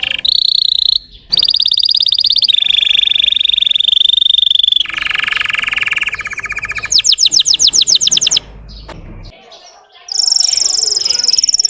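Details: Russian canary song used to rouse other canaries: sustained pure whistled tones shifting pitch, a coarse rolling section, a fast sweeping trill of rapid descending notes, then a high whistle.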